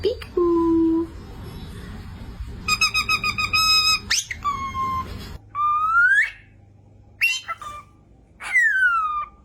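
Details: Pet parrot mimicking sound effects such as camera clicks and pencil scratching: a sustained pure whistle, a burst of stacked electronic-style beeps, then several sharply rising whistled sweeps, with faint background music.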